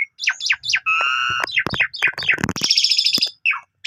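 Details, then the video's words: An Asian pied starling sings in the morning, a dense medley of imitations: quick chirps, two steady held whistles, rapid descending notes and a long harsh buzzy rattle near the end. "Pancingan Pagi !! Jalak Suren Gacor Full Isian Cocok Buat Masteran Burung Kenari Paud"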